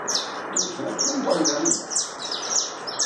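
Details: Saffron finch, known locally as canário da terra, singing in the chapinha carritilha style: a rapid series of high, sharply descending notes repeated about twice per second, with steady broad background hiss.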